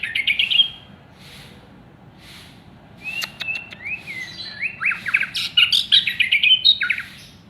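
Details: Contest-winning white-rumped shama, caged, opens with a brief whistled phrase, falls quiet with faint background chirps, then launches into a loud, rapid, varied run of sweeping whistles and sharp notes.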